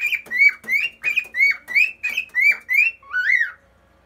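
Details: A pet cockatiel singing on a fridge with a second cockatiel nearby gives a quick run of eight clear, bright whistled notes, about three per second, ending in one longer note that swoops up and down.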